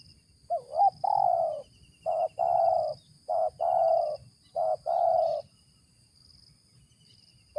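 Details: Wild spotted dove giving its ngeruk call, described as fit for use as a lure: low, hoarse coos, about six notes bunched into short pairs over seven seconds, with a steady insect buzz high in the background.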